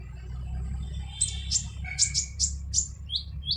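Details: Harsh-voiced kolibri ninja sunbird recorded as a tutor for other cage birds: a run of sharp, high slurred notes, then several thinner descending chips, against low background rumble.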